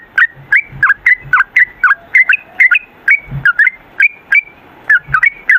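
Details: Sooty-headed bulbul pouring out a continuous run of short, liquid whistled notes, roughly three per second, with soft low thumps underneath.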